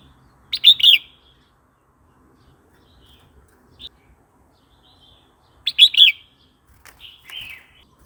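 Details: Red-whiskered bulbul song, played to provoke newly caught or wild birds and to teach young birds: short bright warbled phrases of two or three quick notes, spaced several seconds apart in quiet surroundings.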